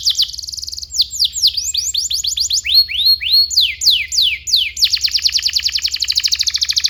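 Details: Canary song meant as a tutor for young canaries: rapid trill, series of downward-sweeping whistled notes, then a dense fast roll.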